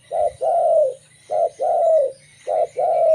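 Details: Local zebra dove singing to lure other zebra doves: three rapid cooing phrases, each a clipped note leading into a longer slurred, slightly falling coo, with a quiet background.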